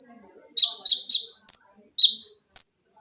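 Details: Olive-backed sunbird kept as a cage bird, training recording of its close-packed shots: six sharp, very high descending chips spaced under half a second apart, alternating between two pitches, on a quiet background.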